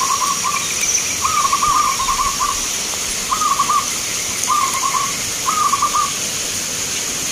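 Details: Singing zebra doves entered in a contest in Grabag, Magelang, Indonesia: clipped, purring coo phrases come in short groups about once a second, each ending abruptly, against soft crowd hiss.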